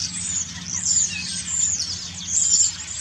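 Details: Preening common starlings singing in autumn: high twittering chatter mixed with clear, sharp whistles and quick downslurred squeaks, rising and falling in loudness. A low hum stays in the background.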